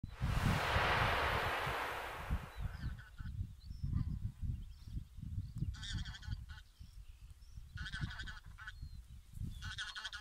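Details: Taiga bean goose call recording intended for training: short bursts of harsh, nasal honks in the second half, over a steady low rumble of wind, after a loud rushing noise at the start.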